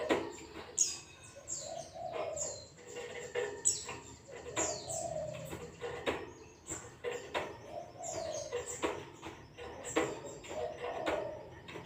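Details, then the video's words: White-eye song in the ngalas style, offered as a lure to make caged white-eyes sing: high, thin, downslurred whistles repeated through the recording, mixed with lower cooing phrases and scattered sharp clicks. "zosterops bird sound"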